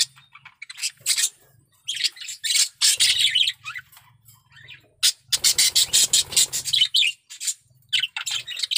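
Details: Male budgerigar in intense breeding condition, chattering a warbled song in bursts of scratchy, buzzy notes and squeaks, with short pauses between the runs.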